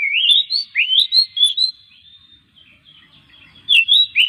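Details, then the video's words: Oriental magpie-robin song used as a lure for other magpie-robins: a series of rising, upslurred whistles in quick succession, a lull with a thin drawn-out tone, then more rising whistles. "masteran suara kacer buat mancing kacer lain supaya gacor setiap hari"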